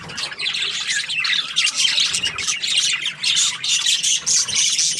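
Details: Budgerigar in a happy mood twittering constantly, with rapid squeaky chirps and rasping warbles packed closely together throughout.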